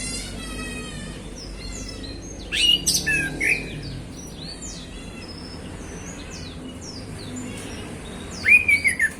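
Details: Relaxed afternoon 'ngeplong' singing of a male orange-headed thrush, used as a prompt for other birds: two bursts of rich whistled and chattering notes several seconds apart, with fainter birds calling in between.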